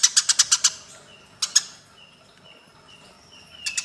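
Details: Fighting Eurasian tree sparrows, used as training audio for songbirds: a quick run of six harsh chirps, two more isolated chirps, soft repeated whistled notes in the pause, then chattering resumes at the end.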